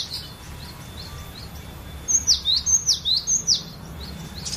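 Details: Cinereous tit song used to lure and train other birds: faint high notes early, then a fast burst of about seven loud, swooping whistled notes, rising and falling, over low hum.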